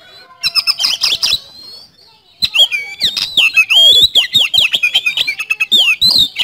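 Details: Kacer, the oriental magpie-robin, singing a rapid 'nembak speed roll' lure song: short choppy notes, a brief silence, then a long, dense run of loud warbled and sweeping whistles with harsh clicks between them.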